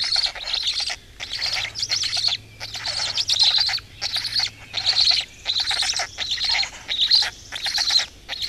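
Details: Morning at a black stork nest in Estonia, May 2018: long, harsh, wheezing bursts come in a regular series, each lasting over half a second, with a low hum underneath.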